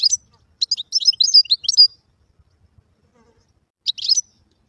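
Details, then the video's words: Wild European goldfinch song: a quick run of high, liquid twitters and chirps lasting about two seconds, then silence and a brief twittering burst. "تغريد الحسون البري"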